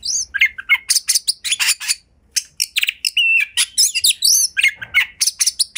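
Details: Home-kept Oriental magpie-robin in ngobra display, singing to draw out the repertoire of other magpie-robins: fast chattering bursts of sharp notes, a brief pause, then dense varied twittering with short rising and falling whistles.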